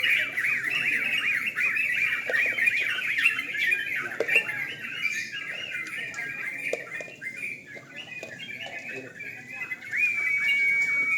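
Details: Sooty-headed bulbuls singing against each other at a nighttime contest; a thick stream of quick warbling notes fades midway, then a clear, drawn-out whistle rises near the end amid light crowd noise.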